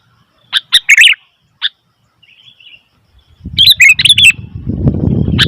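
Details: A noisy sooty-headed bulbul gives a few quick bubbly chirps, pauses, then a rush of fast chirped notes, as a loud low rumbling rustle rises at the end.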